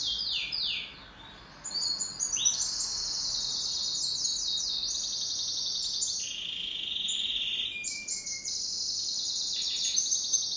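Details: A kept canary sings in duet, with a long varied song of quick descending trills, pulsed rolls and a steady lower whistled tour, pausing briefly after a second before resuming strongly.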